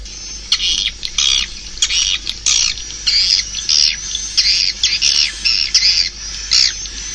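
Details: Swiftlet chirps come in separate short bursts of shrill, buzzy twittering, roughly every half second, with brief gaps between and a thin steady whine behind.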